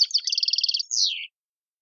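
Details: European goldfinch, tiwawati song style of Tizi Ouzou, Algeria: an evenly repeated series of about ten high chattering notes, then a long descending slurred buzz, nothing else heard.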